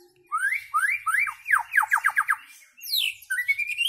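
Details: White-rumped shama delivering a run of upward-slurred whistles that speed into a rapid series of steeply falling notes, then a high descending sweep and a rising, warbled finish.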